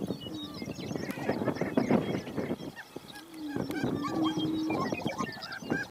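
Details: On a lek where a female is present, two male greater prairie-chickens confront each other, cackling and squatting. Harsh, honking cackles and chatter come in uneven bursts, with a low steady hoot in the middle.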